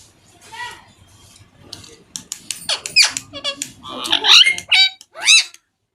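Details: A very talkative pet parrot chirping indoors: scattered sharp clicks, then rapid squeaky, sweeping chirps and chattering notes that grow louder toward the end.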